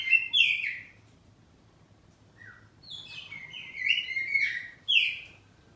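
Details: Oriental magpie-robin, kacer poci kept in a house, singing loudly in answering bouts. A strong slurred phrase, a pause with a soft note, then a fast string of descending whistles.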